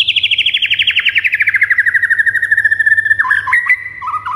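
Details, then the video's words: White-rumped shama song to excite pet birds: a fast rattling trill that slides steadily downward in pitch for about three seconds, then breaks into short, jumpy whistled notes. "JADIKAN MURAI ANDA NGAMUK DAN NAIK EMOSINYA DENGAN MASTERAN MURAI INI"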